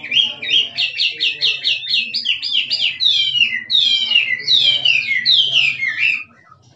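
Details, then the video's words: Chinese hwamei, a wild forest bird, singing loudly: rapid series of rich, slurred whistled phrases, each rising then falling, repeated quickly for about six seconds with a faint low hum beneath. "Chim họa mi rừng kích trống hót cực đỉnh nghe đã tai"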